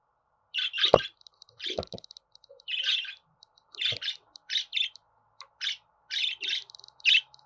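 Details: Budgerigar chirping in quick buzzy bursts, a few grouped together, with short gaps between groups and a steady low hum underneath.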